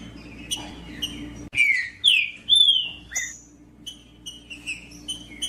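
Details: Green-winged saltator male singing with female calls, aimed at stimulating another male: scattered chips, then three loud clear whistled notes sweeping down, then soft quick chips trailing off.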